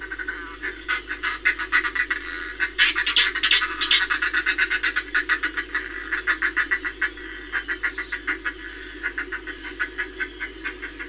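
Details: Cackling of a northern fulmar, Reykjavik, Iceland, 25 April 2024: long series of rough, staccato croaking notes at roughly three or four per second, loudest early on and then continuing in uneven bursts, over a low steady hum.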